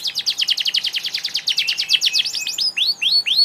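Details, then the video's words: Canary song: a fast, rolling trill of rapid repeated notes, followed by a few slower, separate rising-and-falling whistled sweeps at the end. "Kenari gacor"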